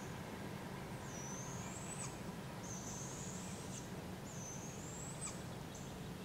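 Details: Barred owl fledglings begging as parents feed them at a park in Polk County, Iowa, in July 2017: three harsh, breathy screeches, each rising and ending sharply about a second apart, then a brief fourth, over low rumbling noise.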